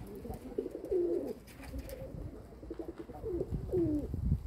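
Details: Domestic pigeons: two distinct moaning coos, each a short rising-then-falling phrase, about three seconds apart, with soft rustling between them.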